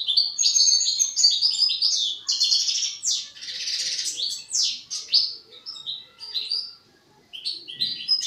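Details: Juvenile European goldfinch rehearsing song: an almost continuous stream of rapid, high, jingling twitters mixed with buzzy, scratchy notes and quick trills, fading briefly near the end before one last chirpy burst.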